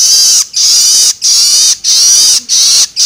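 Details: Young long-tailed shrike's loloan begging, a sound used to stimulate adult shrikes: loud grating hisses repeated about every half second to second, steady and rasping with short silent gaps.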